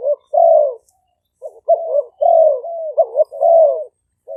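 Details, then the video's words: Spotted dove coos from two Malay-strain decoy birds recorded live in Roi Et, Thailand, on a smartphone, played to lure wild doves. Low mellow coos in bursts, some short, some drawn out and falling, with brief gaps between phrases. "เสียงนกเขาใหญ่ คารม ปะทะ คารม"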